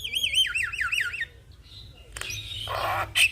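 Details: Javan myna song, bird nodding while singing, used to train young mynas: a rolling warbled whistle repeated about six times, then a pause and a harsh grating burst.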